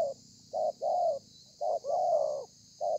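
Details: Spotted dove, wild-caught bird, recorded 30/11/2020, giving a 'thổ pha' style song: soft low coos, the longest held about half a second, spaced by short pauses. Constant faint hiss behind.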